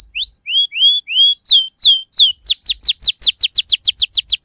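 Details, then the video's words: Canary song used to draw a response from juvenile canaries learning ngriwik: clear rising whistles, then falling slurred notes, breaking into a rapid rolling series of downslurred notes about four per second. "SUARA PANCINGAN KENARI PAUD BELAJAR BUNYI NGRIWIK CUIT CUIT"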